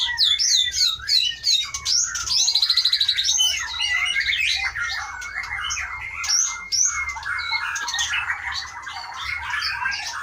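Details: Captive white-rumped shama from Aceh, caught in 2012 in Pining forest of the Leuser mountains and breeding since 2017, giving a long mixed song of whistles, a buzzy rattling trill, chatters and mimic-like notes.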